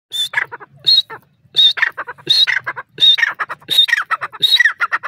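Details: Francolin in its natural grassland habitat, giving loud, harsh repeated calls: each starts with a sharp high whistled note, then a quick burst of lower scratchy notes. The phrase repeats about seven times in five seconds.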